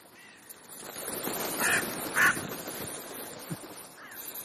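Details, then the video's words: Afternoon crow gathering in Clara Zetkin Park, Leipzig: two short raspy caws close together amid steady background rustle, with a fainter call near the end. "Krähen-Vesper / Crow Vespers"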